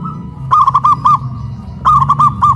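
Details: Two quick phrases of loud, rolling coos from caged local zebra doves on a raised pole in Kuningan, West Java, Indonesia; each phrase has about five soft notes at steady pitch.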